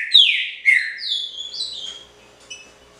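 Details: Trinca-ferro (green-winged saltator), pixarro style, caged: a few full, sweeping whistles, dropping in pitch and overlapping, fading to faint notes after two seconds.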